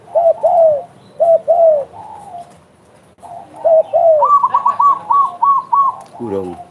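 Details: Spotted dove cooing actively, with clusters of soft downslurred coos, then a brighter, higher run of short repeated notes overlapping, and a brief low rattle at the end.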